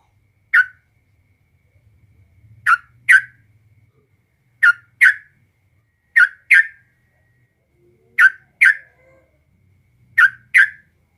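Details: Yellow-vented bulbul (trucukan) presented as a model to stir a caged bird into answering: short, bright, slurred notes, mostly in close pairs, repeated every two seconds or so, with a faint low hum between them.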